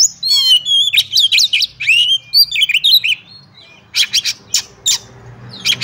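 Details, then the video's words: Fighting oriental magpie-robin, ngobra song full of bursts for testing a rival's nerve: quick sequence of sweet whistled and warbled notes with clicks, shifting after a pause into repeated harsh scratchy bursts over light hum. "Kacer Tarung Ngobra Full Tembakan Cocok untuk Ngetes/ Nyoba Mental Kacer Lain"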